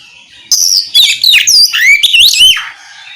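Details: Oriental magpie-robin singing a loud, varied phrase used to provoke other magpie-robins into answering: rapid whistled notes sweeping up and down, some slurred and warbling, running about two seconds before fading out.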